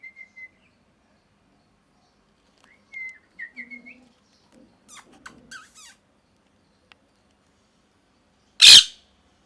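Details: Molting pet parrot giving short whistled notes, then a cluster of clicks and chatter, and finally one loud harsh screech near the end, with quiet gaps between.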